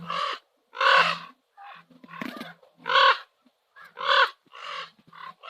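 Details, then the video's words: Common ravens at sunset on Nose Hill, Calgary: loud, harsh, rasping croaks about one per second, interspersed with softer short notes. "Calgary sunset - Nose Hill Ravens - Nature Sounds"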